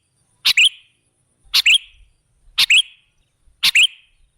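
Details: Sooty-headed bulbul as a lure for other birds: four evenly spaced chirpy phrases about a second apart, each a sharp note followed by a fluid, dropping whistle.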